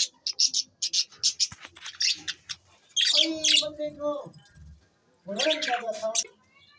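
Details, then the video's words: Budgerigars kept as pets: a quick series of thin, high chirps, then two longer warbled phrases with lower, tonal, bending notes. "Bueatiful Sounds Bueatiful Budgies birds"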